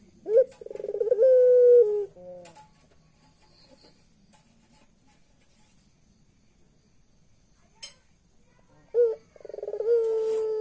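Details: Turtle dove of the puter pelung type laughing: a burst of fast pulses slides into a sustained hollow coo. A long quiet pause follows, broken by a faint click, then a second pulsing coo starts near the end.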